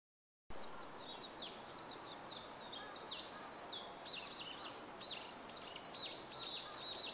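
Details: Warbling white-eye singing above a bamboo grove in Japan, recorded 5 April 2014: a fast, continuous twittering warble of high slurred notes tumbling up and down, sustained for the whole stretch over faint background hiss.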